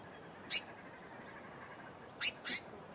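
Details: Blue-mantled crested flycatcher calling: very short, high, sharp notes, one alone and then a quick pair, over a soft hiss.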